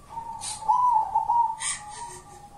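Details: Wild-type local zebra dove, song known as kuntilanak, delivering a sustained mellow coo with a few gentle quavers in the middle, bracketed by two short rustling clicks.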